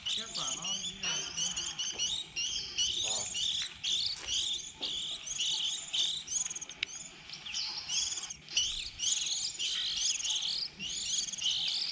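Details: Young white-eyes early in the season, recorded as a lure for trapping when birds begin leaving the nest: a chorus of thin, high, rapid chirps and twitters pours out almost without break, punctuated by a few short clicks.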